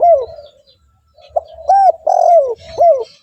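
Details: Spotted dove cooing to lure other doves: a falling coo, a pause, then a quick click-like note, two arched coos and a long sliding descending coo, with a final arched note.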